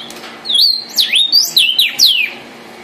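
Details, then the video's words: Red vermilion cardinal song phrase: clear whistled notes, some held briefly then dropping, others sweeping steeply downward, five or six in under two seconds. "cardenal guajiro rojo, canto de las aves"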